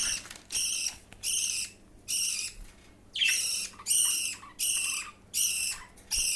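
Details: Budgerigar chick being fed by another chick gives harsh, raspy begging bursts, about one every second, each lasting half a second, high and scratchy with a steady rhythm.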